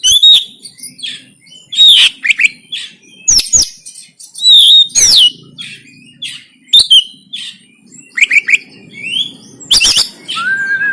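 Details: Oriental magpie-robin in Banten, Indonesia, giving its fighting song, recorded by Android phone for training other birds: rapid clusters of bright whistles and sharp downslurred notes in bursts, short gaps between, a low hum behind.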